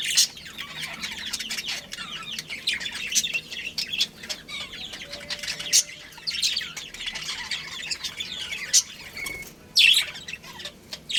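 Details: Budgerigar breeding pair chattering softly: a steady murmur of thin, twittering warbles and clicks, with occasional sharper squeaks standing out, near 6 and 10 seconds.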